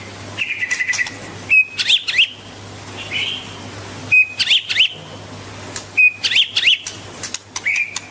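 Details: White-rumped shama singing and dancing: a short phrase of pure whistled notes followed by sharp rising slurred whistles, repeated three times at roughly two-second intervals, with a steady low hum beneath.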